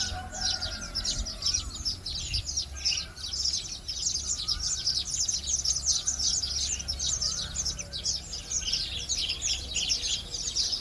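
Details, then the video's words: Weaver flock at early dawn, a steady wash of high scratchy chirping from many birds, with soft lower whistled phrases and a low background hum. "เสียงนกกระจาบ ยามเช้าตรู่"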